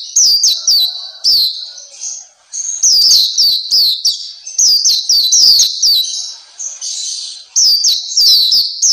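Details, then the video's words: Black-capped white-eye, known locally as Papua white-eye, kept as a cagebird; bright, rapid twittering song of high, downslurred whistled notes in quick bursts, with short pauses between phrases, over a quiet background. "Terapi Masteran Pleci Black Capped/Pleci Papua"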